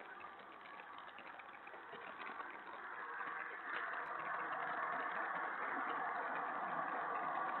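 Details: Muffled engine-like hum and hiss slowly grows louder, with no distinct animal calls.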